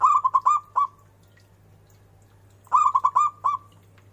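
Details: Zebra dove, a local bird praised for its loud, ornamented singing: two phrases of rapid, rolling coo notes, five or six short hoots each, separated by about two seconds of quiet over a steady low electrical hum.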